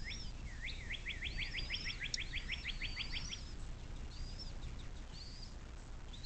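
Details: Nest-cam bald eagle beside the Little Miami River near South Lebanon, Ohio, USA, 17:23: a fast series of about a dozen shrill, slightly descending piping notes, followed by faint high songbird whistles against a constant low hum.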